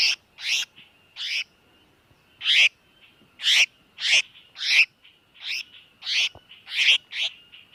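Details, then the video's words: Bird distress call used as a lure for trapping: harsh, buzzy bursts repeated about every half second in uneven groups, with a faint steady tone underneath and no other clear sounds. "Tiếng chim tiểu mi đất kêu cứu"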